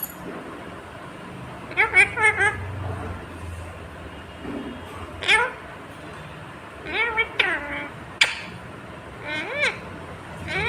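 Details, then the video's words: Green ringneck parrot talking in scattered short bursts of rising and arching harmonic syllables against a steady noisy background with low rumble. "Natural Sound of talking Ringneck green parrot"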